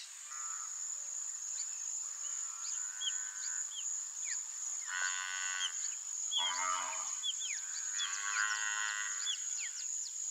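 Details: Brazilian teal, apparently in the Pantanal in breeding season, gives drawn-out, nasal, harmonic calls every couple of seconds, over a steady high insect hum and frequent short chirps from other birds.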